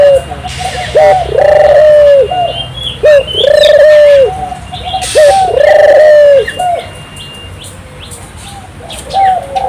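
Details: Turtle dove singing actively, used to stimulate local doves to sing: drawn-out, level coos with a short rising note before each, repeated in roughly two-second phrases, plus faint high chirps of other birds.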